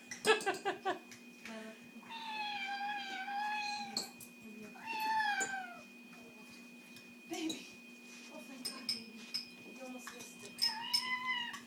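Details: An Amazon parrot caged at bedtime and refusing to sleep gives three drawn-out, cat-like meows mimicking a complaining cat, each wavering and falling slightly, mixed with short squawks and a person talking.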